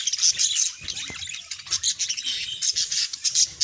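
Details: Two pet budgerigars singing and talking, a busy high chattering warble with rapid scratchy chirps and squawky notes running throughout.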